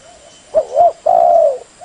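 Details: One spotted dove phrase used for luring: a quick low coo, a swelling second coo, then a long even purring note that trails downward and stops.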